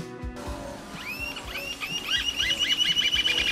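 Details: A pair of Rufous-tailed Jacamars (Galbula ruficauda) in open ground at a coastal-range forest edge sing high, thin whistled notes that each slur upward, then quicken into a rapid, excited run. Faint low music and a thump at the start.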